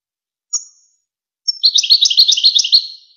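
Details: European goldfinch song from a Wakr Touzgha tutor tape for goldfinch chicks and hybrids: a thin high note, a pause, then a quick liquid twittering phrase of rapid chirps lasting about a second and a half, clean and without background.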